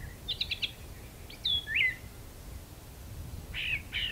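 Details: Brown thrasher in a magnolia tree giving sparse song phrases: a short trilled burst, a clear downslurred whistle, and a rising slurred note, then two harsh buzzy notes near the end.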